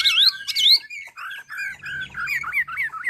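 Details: Chinese hwamei from Ha Giang, Vietnam, natural song for training birds: two sharp rising whistles, then a series of wavering, warbled slurred notes repeated about twice a second.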